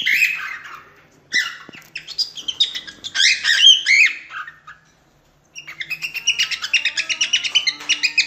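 A cockatiel warbles a jumble of bright whistles and chirps, pauses briefly, then returns with quick repeated chirping notes about three a second.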